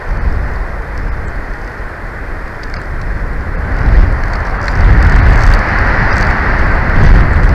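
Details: Loud gusting wind and rain-like roar buffet the microphone throughout, with no animal calls audible.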